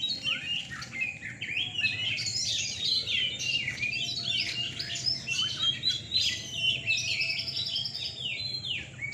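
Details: Caged Oriental magpie-robins (kacer) in a night singing contest in Surabaya, Indonesia: quick, jumbled whistles and sweeping notes, several birds overlapping in a near-continuous stream, with a low hum behind.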